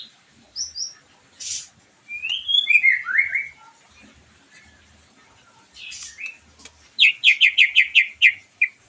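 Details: White-rumped shama, used to stimulate a bird after moulting and boost its drive; sparse high whistled notes and downslurs, then a fast run of seven bright repeated notes near the end, gaps of quiet between phrases.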